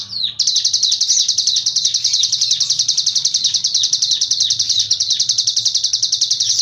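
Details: A cigun keeps up a steady, piercing, high-pitched trill of rapid, evenly pulsed notes for several seconds. The singing is continuous and unbroken after a brief opening chirp.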